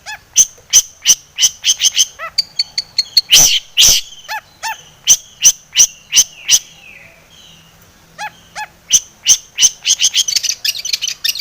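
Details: Long-tailed shrike song used as a lure to provoke singing, full of mimicked phrases: rapid sharp clicks and chattering notes in bursts, some downslurred whistles, a brief quiet gap, then chattering resumes.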